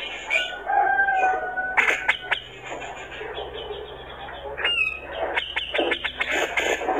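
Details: Grey-cheeked bulbul male singing energetically to rouse opponents: a few pure whistles, then bursts of crisp clicks and rising chirping notes, with constant background hiss.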